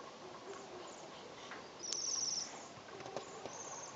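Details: Waxwing in the Ural region giving a high, thin, buzzy trill of about half a second, then a shorter, fainter high trill near the end, over steady background hiss with a few faint clicks.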